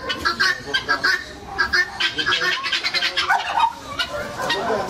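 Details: Turkeys at a mini zoo in Hebbal Industrial Area, Mysore, India, give harsh, rapid, rattling squawks and clucks in quick bursts, with people talking faintly in the background.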